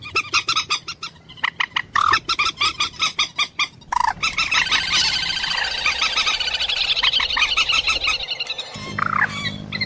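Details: Common moorhen uttering a fast train of coarse, evenly spaced clucks, then a dense, drawn-out chattering stretch with a noisy hiss, ending in a rising squawk.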